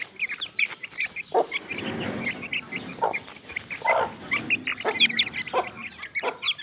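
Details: Lasani mother hen calling to her chicks, low clucks repeated about once a second beneath dense, continuous high cheeping from the chicks.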